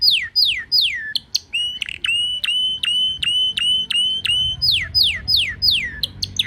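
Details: A pet canary sings under the wisteria trellis in Nara Park, Japan: repeated clear downward-sweeping whistles, then a fast even trill of short notes, then more descending whistled slurs, with faint low background rumble.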